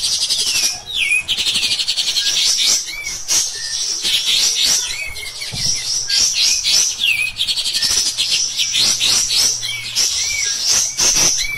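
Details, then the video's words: Insistent, shrill chatter from a Cotton pygmy goose used to train songbirds, running almost nonstop for about twelve seconds, broken by short dips and frequent downward-slurred whistled notes. "KAPAS TEMBAK EDAN GACOR | MBESET NEMBAK NGOTOT"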